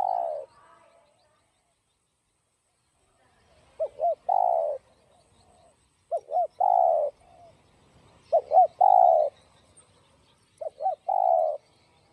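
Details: Spotted dove cooing in the 'giọng đồng' style, used to stimulate and lure other doves: four phrases, each two short low hoots followed by one long, throaty coo, spaced by pauses of several seconds.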